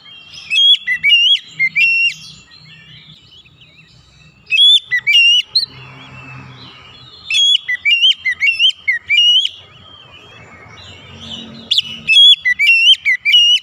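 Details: Oriental magpie-robin song played as therapy to get silent or stressed magpie-robins singing; four bursts of loud, sweet whistled phrases with quick rising and falling slurs, separated by pauses with faint background hiss and rumble.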